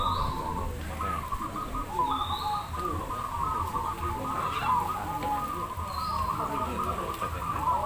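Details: Singing contest of zebra doves (perkutut) in Demak, Semarang: an unbroken chorus of fast, trilled cooing from many birds at one pitch, with brief high, thin whistled notes and constant low background noise.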